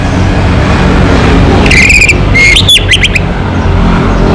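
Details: Orange-headed thrush of a local strain in lively song: one short phrase of bright whistled notes and fast upward sweeps, partly masked by loud continuous traffic-like roar.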